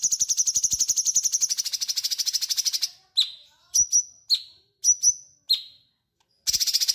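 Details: Cucak cungkok bulbul singing vigorously, used as a tutor recording for magpie robins: long rapid buzzy high trills bracket a series of short sharp downslurred whistled notes, with brief low knocks in between.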